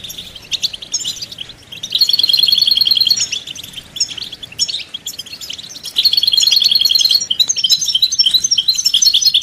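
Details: European goldfinch song, in the local styles called betbeta and setseta, used as mating and readiness calls to stir a silent male to sing: high twittering with two bright, rapid, even trills, around two and six seconds.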